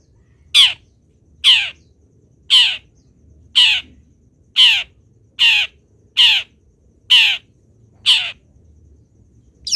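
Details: Long-tailed shrike master recording used for song training of other birds: a steady run of ten grating, downslurred rasps, about one per second, loud and evenly spaced.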